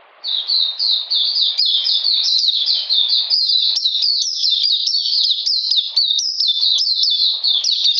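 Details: Oriental magpie-robin recorded 13 June 2020 in cold rainy weather. After a brief silent start, it bursts into a dense, continuous chain of high, bright whistled notes, each dropping in pitch, tightly repeated throughout.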